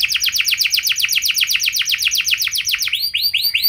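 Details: Rolling canary song used as a lure to make other canaries sing, in the ornate 'cengkok mewah' style. A long fast series of falling notes changes to slower, rising looped whistles near the end.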